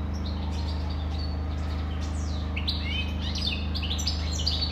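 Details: Goldfinch singing a fast, tinkling twitter of sharp chirps and bright liquid notes, strongest in the second half, with a constant low droning hum underneath.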